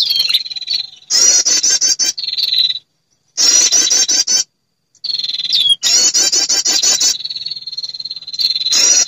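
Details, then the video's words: Prinia female call played as a lure to attract males: loud bursts of rapid high trilling separated by sustained thin whistles and two clean silent breaks. "SUARA PIKAT PERENJAK BETINA memanggil jantan"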